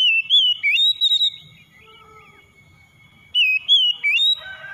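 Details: Oriental magpie-robin, locally kacer, used to stimulate a stressed bird that has gone quiet. Rich whistled phrases with warbling upslurs alternate with a softer middle stretch of faint thin tones. The loud whistling then resumes.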